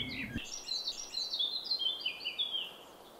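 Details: Several firecrests in a dark coniferous forest where they are abundant, constantly flying in, give thin, very high, overlapping call notes in quick bursts with some rising and falling slides; a brief low thump opens the recording.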